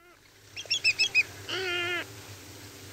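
A Little Blue Heron gives one harsh, nasal, drawn-out squawk lasting about half a second, after a quick run of four clear, ringing notes from another bird.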